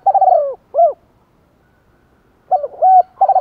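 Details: Decoy spotted dove giving urging coos to excite wild doves: choppy bursts of stuttering notes and short arched coos, a pause of about two seconds, then another rapid run of coos.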